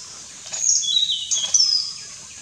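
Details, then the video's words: Hainan blue flycatcher, a newly split species breeding in parts of NE India, sings a brief, elaborate phrase of thin, high, sweet whistled notes that slide and flick over about a second, against faint background hiss. "Hainan Blue Flycatcher singing"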